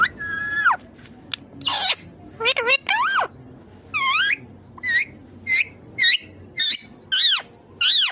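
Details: Green Indian ringneck parrot kept at home, talking in a rapid run of short speech-like syllables, each a harmonic burst, some dipping and rising in pitch, repeated about twice a second with quiet gaps between.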